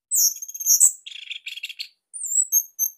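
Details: Orange-headed thrush of the Bali type, kept as a master recording for training captive birds and described as having a unique, tight, loud voice. Very high thin squeaky notes give way to a short burst of buzzy, scratchy mid-pitched phrases, then thin high whistles.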